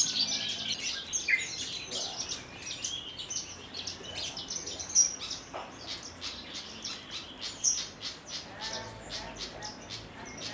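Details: Javan bush lark of Kulon Progo, Indonesia, kept in a collection, singing Jambul style after hovering onto its perch stone. It gives rapid, clicking, high trills broken by sharp accented chirps every couple of seconds, with a faint background hum.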